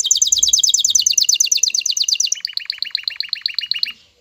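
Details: Excited male canary singing to make a female take the mating posture; a fast, even trill of sharp high notes gives way after two seconds to a slower, lower trill of rounded syllables, ending abruptly.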